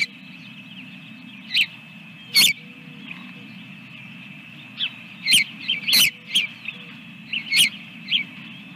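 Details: Osprey on a nest with eggs, Dunrovin Ranch, 24 April 2022, morning; loud, clipped high whistled chirps in spaced groups, several in quick succession midway, with sharp clicks and steady background hiss.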